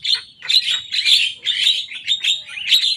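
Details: Young Javan myna singing hard and copying rival birds' songs, a string of loud scratchy chirps and squeals in quick pulses, about two per second.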